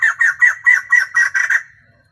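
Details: White-crested laughingthrush hen, a lure bird to excite males, singing all day. Eight evenly spaced harsh cackles roughly every quarter second, strong and rhythmic, trailing off at the end.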